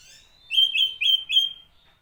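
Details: Oriental magpie-robin song used to provoke other magpie-robins: four quick, sweet slurred whistles in a row, evenly spaced over about one second, rising slightly, on a silent background.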